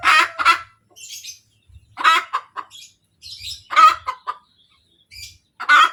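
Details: A hen cackles after laying an egg: strong rasping squawks spaced about every two seconds, each followed by a few quick clucks, with soft higher twittering in the gaps.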